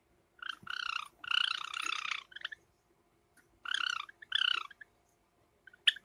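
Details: Pet Java sparrows, a light silver ino and a cinnamon, in summer give buzzy, nasal, harmonic bursts, some short and some about a second long, in two clusters with quiet gaps and a few faint clicks.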